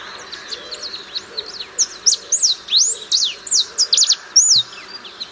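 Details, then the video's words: Ringed warbling finch (Microspingus torquatus), a species of Bolivia, Argentina and Paraguay, singing a fast, high jumble of sharp slurred notes and chips that builds into a rapid tumbling run; faint background hiss. "O canto do Tentilhão anelado"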